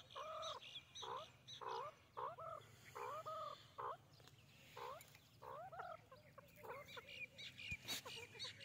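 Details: White francolin (white teetar) giving a steady series of loud, hoarse, harmonic double notes, each slightly rising, repeated roughly every half second over eight seconds, with faint small-bird chirps and a low hum behind.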